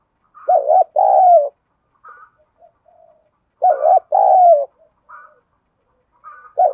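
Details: Spotted dove in the "đồng thổ" voice, cooing to urge decoy doves into answering. Two matching phrases, each a quavering note then a long sliding coo, with faint higher notes between them.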